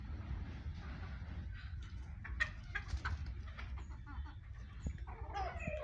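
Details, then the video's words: Chickens and roosters feeding, with scattered short clucks and brief calls over a steady low rumble and scratching sounds. "chickens and Roosters are feeding"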